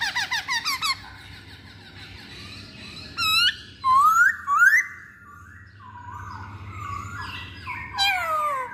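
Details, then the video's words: Lure song from a masked laughingthrush: a fast string of short notes, then loud up-slurred whistles in quick succession, softer descending notes, and a final falling whistle, over low room hum. "Pancingan Poksay Hongkong"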